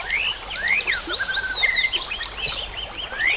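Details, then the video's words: White-rumped shama song with a nature soundscape: sweeping whistled slurs rising and falling in quick, varied phrases, one brief hissing burst midway, over constant background noise. "murai batu AKAN EMOSI dan IKUT GACOR dengan masteran murai batu ini"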